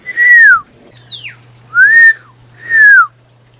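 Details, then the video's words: A male Pyrrhuloxia in the desert near Tucson, calling to his mate, gives three loud, clear whistles, each gently rising then falling, about a second apart, with a quicker, thinner downslurred whistle between the first two, over a faint hum. "How many calls does Pyrrhuloxia Male need to call his Mate?"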